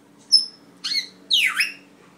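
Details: Red-tailed African grey parrot giving three calls: a thin high whistle, a short squawk, then a louder swooping whistle that slides down and back up, with a low steady hum beneath.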